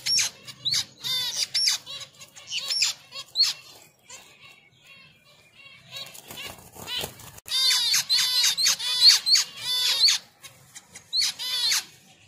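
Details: Finches during mating give bright, high chirps in quick clusters, each a short rippling note, with bursts around the start and middle and a fuller flurry near the end; brief quieter gaps between bursts and faint wing flutter.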